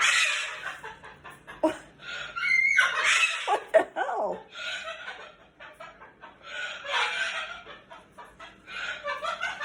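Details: Pet cockatoo screaming indoors after pulling its owner's glasses off, setting off two other pet birds screaming too: harsh, raspy, broadband squawks in ragged bursts, overlapping one another, with a woman talking soothingly throughout.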